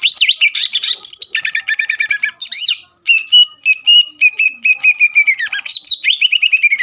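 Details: Greater green leafbird singing energetically as a lure to stir rival birds to respond: dense chattering bursts and high slurred whistles, a brief pause, then a long run of rapid repeated notes and falling phrases.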